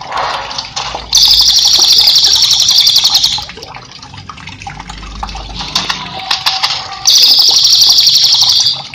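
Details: Cililin singing, a recording used as master song for training cage birds; long buzzy high trills lasting two to three seconds, separated by pauses with softer chirps and a low rushing water background.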